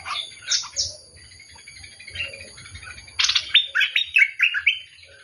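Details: Bulbul singing: short bright chirping and warbled notes, a brief phrase early on, then a quick run of rising and falling whistled notes in the second half, with faint low background rumble.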